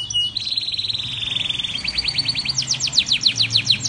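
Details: Canary with Blackthroat roll variation, meant as a tutoring recording: a steady, rapid, even trill of high notes slows into a series of separate descending whistled sweeps.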